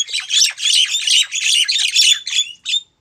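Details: Female Javan myna calling to a male, used as a lure call: dense harsh squawking chatter in rapid bursts with whistled overtones, nearly continuous for three seconds, ending in a few brief notes.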